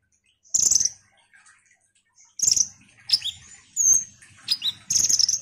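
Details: Singing ruby-cheeked sunbird meant to provoke others into song: a shrill high chatter burst, a quiet pause, then more chatter, a drawn-out thin whistle and quick downslurred squeaks.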